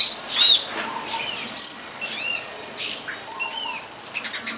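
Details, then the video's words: Wild long-tailed shrike singing in nature: scattered high, arched chirps and short downslurred whistles in uneven bursts, with quieter low notes between phrases and soft hiss behind. "Pesona Burung Cendet di alam"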